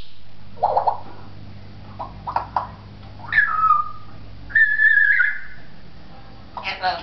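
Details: Talking African grey parrot at a pet shop in Beit Hanina, Palestine, giving short voice-like bursts, then a falling whistle and a long wavering whistle, ending in a rough burst over steady indoor hum.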